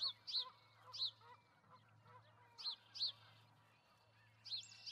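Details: At a Charlo, Montana osprey nest holding two eggs, recorded 08/05/2019, piercing whistled chirps come in quick pairs separated by quiet gaps, with a constant low electrical-sounding hum beneath.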